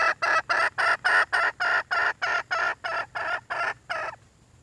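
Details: Red junglefowl hen calls for a mate with about a dozen evenly spaced, hoarse, buzzy notes, close to four per second, gradually fading in loudness before stopping.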